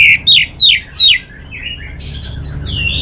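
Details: Orange-headed thrush giving four loud, clear down-slurred whistles in quick succession, followed by softer, longer whistled notes rising and falling, with faint low hum behind.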